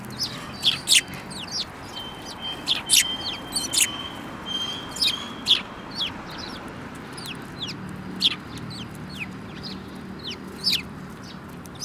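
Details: A flock of sparrows, one yellow-beaked, on 24 February 2018. Busy overlapping chirping from several birds, with dense clusters of high notes and a brief thin steady whistle near the start, over background hiss.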